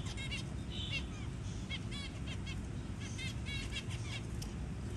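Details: Zebra finch adult feeding a newly hatched baby; quick series of thin stacked chirps and brief nasal buzzes in bursts, over constant low background hum.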